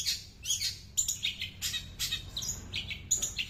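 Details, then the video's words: Mimicking small birds, a long-tailed shrike delivers quick high chirps, sharp tweets and short slurred notes in uneven bursts, some notes rising, with a faint steady low hum beneath. "Cendet nembak burcil Manggar pedess"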